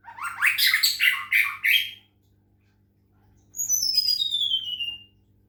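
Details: Medan-type white-rumped shama in full song during a water-sound therapy: a rapid burst of harsh, buzzy rising phrases, a short pause, then a bright whistled note sliding steadily downward.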